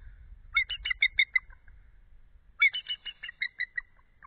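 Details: At 12:12 am on 8 February 2013 a female eagle off her cooling egg trills and calls, with her mate calling back: two fast series of sharp, squeaky, descending notes, each run slowing toward the end, over faint low noise.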